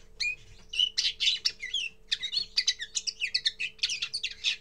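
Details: Common linnet giving its first song: a rapid, varied twitter of chirps, trills and short whistled notes in quick bursts, with a pause near the middle, over a faint steady low hum.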